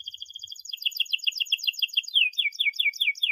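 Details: Singing canary as a tutor for young birds learning their song: rapid even trill that changes to looser chirping notes, then a run of louder descending whistled slurs.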